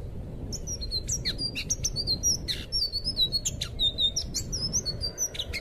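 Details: Tutor song of an anis biru (blue thrush), played to train young captive birds: rapid continuous chatter of high whistled slurs, sharp downward-sweeping notes and scratchy bursts, lively and varied throughout, with constant low background rumble.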